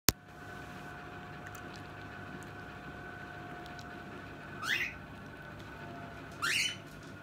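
A cockatiel gives two sharp, rising screechy calls over a steady indoor hum.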